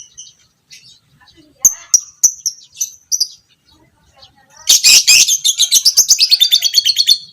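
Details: Ngekek panjang from a violet parblue creamino fighter lovebird, a recording meant to train other lovebirds; scattered high clicks and chirps, then a loud rapid rattling trill of evenly spaced pulses for nearly three seconds.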